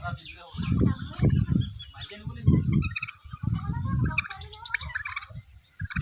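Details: Turkeys at a turkey farm in Golaghat, Assam, described as very big birds: a busy, overlapping mix of short fowl calls and chatter, with heavy low thumping and rumbling noise throughout.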